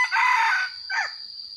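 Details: Decoy red junglefowl in the rainy season crowing: a loud, raspy half-second burst followed by a shorter, falling hoarse note, then quiet background.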